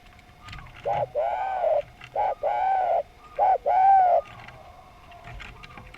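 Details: Vigorous, melodious derkuku song from a spotted dove: three paired phrases, each a short coo followed by a longer, even coo, the last one loudest, with quiet gaps and a faint steady tone between them.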